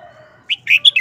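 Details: Red-whiskered bulbul kept in a cage, singing a short, quick wild-style phrase: three or four bright, slurred whistled notes in rapid succession after a faint low hum.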